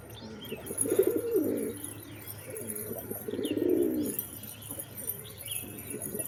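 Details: Pigeons giving deep, rolling coos, two long swelling bursts about three seconds apart, with faint higher chirps of small birds and a steady hum behind.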